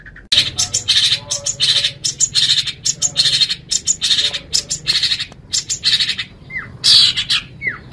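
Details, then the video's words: Long-tailed shrike in vigorous full song for training caged birds: dense, buzzy, scratchy chatter pours out in long rapid runs, broken by brief pauses and closed with two short descending whistles. "Suara Burung Cendet | Gacor"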